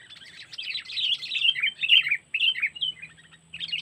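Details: Sooty-headed bulbul 'cengkeram' lure calls for trapping, Lampung: uneven bursts of harsh, bubbly chattering with short breaks and a faint low hum underneath.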